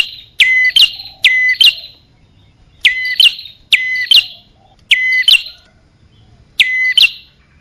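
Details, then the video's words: Bar-winged prinia lure for attracting both males and females: six loud, evenly spaced high phrases, each a sharp descending note, brief level whistle and rising chirp, with near-silence between them. "Suara pikat burung kecil paling ampuh | Anti Gagal Khusus Prenjak Atas Betina Jantan"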